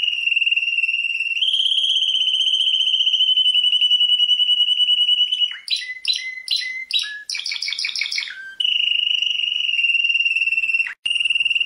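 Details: Prize-winning canary song: long steady trills of rapid pulsed notes, a loud chopped section of sharp repeated chirps in the middle, then the even trill returns, all clear and high-pitched.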